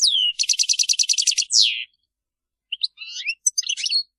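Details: European goldfinches calling together in a group chirping chorus: a fast run of about a dozen bright, evenly spaced high notes, a downward-swept slur, a short pause, then scattered sharp twittering chips.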